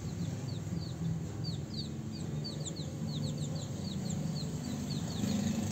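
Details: Mating-time house sparrows keep up a steady run of short, bright downward chirps, spaced irregularly across the whole stretch, with a deep hum beneath.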